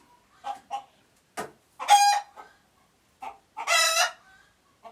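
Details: Uganda chicken sounding the alert: scattered short clucks and two loud, harsh, harmonic squawks about two seconds apart.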